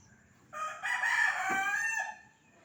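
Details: Village rooster roaming a street gives a single loud crow, a rough rising start that swells into a sustained harmonic note and then drops away, with faint low background noise.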